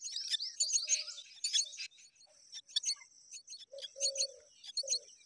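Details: Parent myna feeding babies: a flurry of scratchy high chattering at the start, fading into scattered clicks and short chirps, with a few low hollow notes later.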